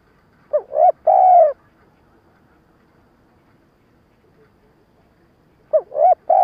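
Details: Spotted dove used as a lure bird for trapping, giving a stuttering coo-and-call sequence: a short upward note, a mid note, then a long steady coo around mid pitch, repeated after a pause of several seconds in a quiet setting.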